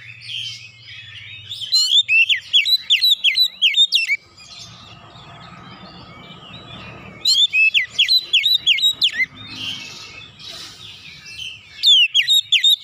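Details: Oriental magpie-robin in repeated 'nembak' bursts: fast strings of loud, shrill slurred whistles, a long softer passage of varied mimic-like warbling with faint background noise, then more rapid ringing phrases.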